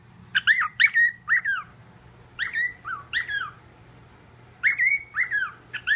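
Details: Mimicking parrot at home mixing a familiar whistled melody with other whistles; groups of bending, slurred whistle notes come in three bursts with silent stretches between, over a low room hum.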